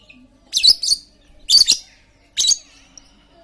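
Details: Very talkative lovebird, used as a lure to stir quiet lovebirds into singing: three harsh, buzzy, high chattering bursts, the first two split into quick stuttering pulses, separated by short pauses.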